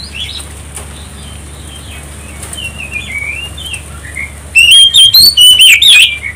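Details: Oriental magpie-robin song meant to provoke other birds into singing: soft faint warbling whistles at first, then a sudden loud burst of rapid, sweet, varied whistled notes with sharp slurs, over a low constant hum.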